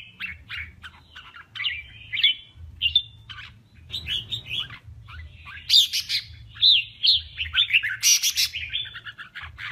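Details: Contest singing by a male red-whiskered bulbul: a run of lively warbled, chattering phrases, some harsh bursts near the middle and end, repeated quickly with brief gaps, low hum behind.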